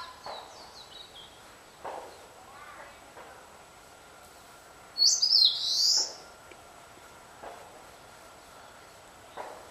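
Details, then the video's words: Eastern crowned warbler: a few faint high notes at the start, then a prominent, harsh, buzzy high phrase midway, with soft thumps and background noise. "センダイムシクイ Eastern crowned warbler"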